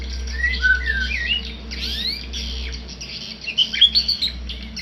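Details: Tame white-rumped shama: sliding whistled notes, then a quiet gap, then a lively cluster of bright ascending whistles, heard over chattering birds and a low electrical hum indoors.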